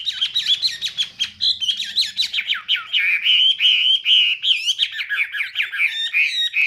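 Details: Chinese hwamei pouring out dense, rapid warbling with tightly packed sliding whistles and trills. The song runs without a break, with a faint low rumble in the first seconds.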